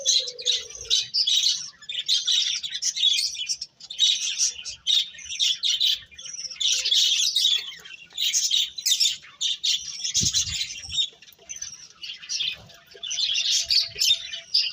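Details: Long stretch of birds chirping, bursts of dense high twittering separated by short quieter gaps, with a faint low hum at the very start and a brief thump midway.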